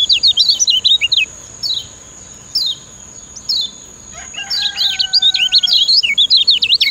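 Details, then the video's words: Lemon-bellied white-eye, locally kecial kuning, Lombok, singing a master song to train other birds: quick twittering, short gapped chirps, then another rapid jumbled burst, over a thin steady high whine. "Ciak Ciak Ngejoss Kecial Kuning Ampuh Jadi Masteran"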